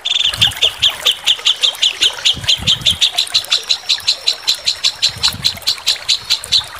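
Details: Kasaran-style tutor recording of a white-rumped shama for competition birds: a long run of hard, evenly spaced chip notes at a steady pace, nearly three a second, over a faint low background rumble.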